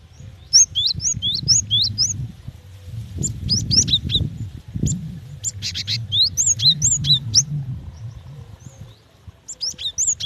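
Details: Female cinereous tit calling to the male in spaced bouts of rapid upslurred whistles and short buzzy bursts, with thin high ticks between, over a soft low rumble.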